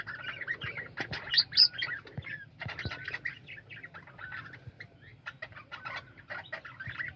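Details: Caged budgerigars in a colony calling together, chattering warbles and quick chirps overlapping, some louder bursts early on and a few soft thumps in the background.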